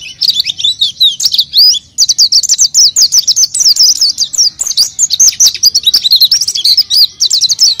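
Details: Oriental white-eye in vigorous song, played as a lure for untrained white-eyes: a fast, unbroken stream of high, thin chirps and short whistled slurs, densely packed and tireless, with only faint low hum beneath.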